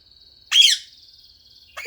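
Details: Female pet budgerigar playing with her toys, recorded 4 September 2014: a loud, close, harsh squawk with a warbling overtone, then a thin sustained whistle and another burst of chatter starting at the end.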